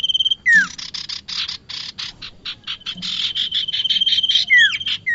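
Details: Trapping lure of bar-winged prinia: a falling slurred note opens a long stretch of rapid harsh buzzy chatter, with a level high whistle and another descending slur near the end.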